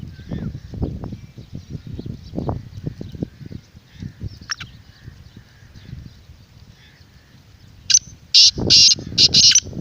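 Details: Calling Black francolin, used as a lure for wild birds and to set off a kept one: a long stretch of low rumbling noise, then near the end a sudden burst of four or five rasping, harsh notes.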